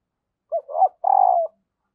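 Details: A single phrase from a female spotted dove calling to get males to coo: a short coo, a rising double note, then a longer, steady coo falling away at the end.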